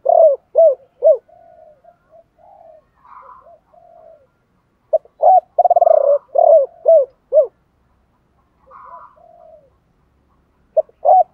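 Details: Spotted dove decoy calling, 'gọi 3 hậu' style, 'thổ pha' voice: three opening coos, soft low murmurs, then a burst of hooting coos with a rolled purr near six seconds, and a final pair of coos after a quiet stretch.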